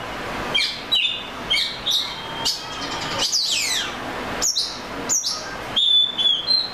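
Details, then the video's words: Oriental magpie-robin singing a series of short whistled notes and chirps, a cascading descending flourish, then high clear whistles and warbles. "The Melodic Tunes of the Oriental Magpie Robin Bird"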